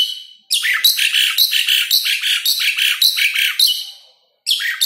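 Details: Asian pied starling song for training or calling other starlings: a fast chatter of harsh, bright notes, about three each second, running steadily before a short silence and a fresh start.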